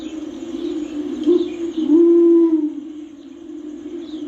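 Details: Torresian imperial pigeon calling: a deep, low coo with a short note followed by a longer, steady, drawn-out hoot, over a constant low hum.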